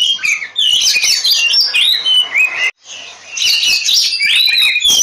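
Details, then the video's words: An oriental magpie-robin gives its fighting song, meant to stir other birds into song: quick bursts of varied whistles and harsh chatter, a brief break past mid-way, then more bright sliding phrases. "suara Kacer ngobra tarung, pancingan kacer agar cepat gacor"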